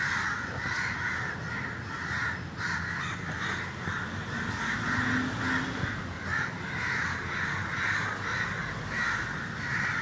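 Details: Crows cawing repeatedly in a busy chorus, harsh calls coming in quick series over ten seconds, with steady hiss and low rumble beneath.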